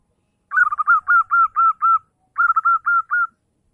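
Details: Zebra dove singing in the morning: a series of six soft, rapid cooing notes, then a short pause and five more, each note rolling and slightly falling in pitch, with a clean, quiet background.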